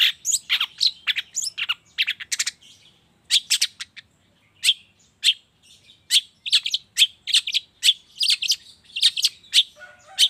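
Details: Morning lure for long-tailed shrikes, intended to get quiet birds calling: rapid rasping chatter in long strings, a short pause near the middle, then steady sharp notes resuming to the end.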